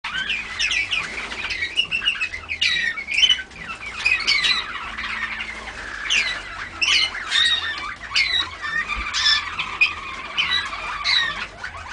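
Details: Young Malinois Waterslager canaries, recorded 14 August 2009, singing continuous bubbling, warbling phrases with rapid trills and rolling notes.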